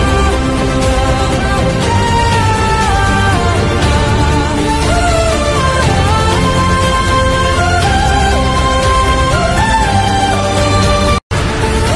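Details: Loud melodic music plays throughout, with no animal sounds audible.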